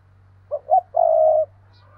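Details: Spotted dove acting as a decoy, 2022 'thúc' calling. A crisp three-part coo: two short clipped notes followed by one long, even, sustained note, over a faint steady hum.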